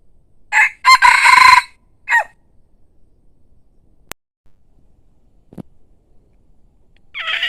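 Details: Decoy rooster crowing pleasingly: one full raspy crow with a brief opening note, a long loud middle and a short falling end, then quiet with a click, a low thud and another crow starting.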